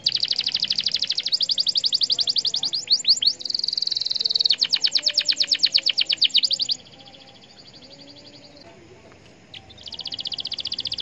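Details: Singing canary used to stimulate other canaries to sing, with long fast rattling trills of high clicking notes and sweeping whistles, a brief near-silent gap, then the trill resumes.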